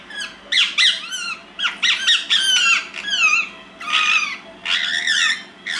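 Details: Pet ringneck parakeets indoors at nap time, chatting to each other: bursts of squeaky, warbling whistled notes with quick rising and falling sweeps, grouped in rapid phrases separated by short pauses.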